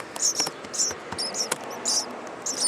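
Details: At least four hungry nestlings in a nest in an attic vent beg with very high, thin squeaky peeps in short bursts, quiet and close, while a person talks softly.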